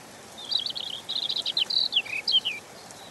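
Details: European robin singing gently: a single high, thin, tinkling phrase of quick varied notes and short trills, rising and falling, with some notes slurred downward near the end, over a faint steady background hiss.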